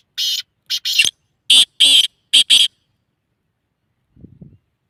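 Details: Black francolin call: a loud series of harsh, grating bursts in an uneven rhythm, a single note, then a paired note, then three pairs, followed by a faint low murmur.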